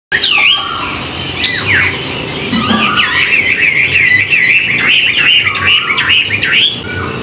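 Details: Chinese hwamei singing in the morning for song training: a rich, continuous warble of rapid slurred whistles rising and falling, with a loud phrase early and then a sustained twittering run.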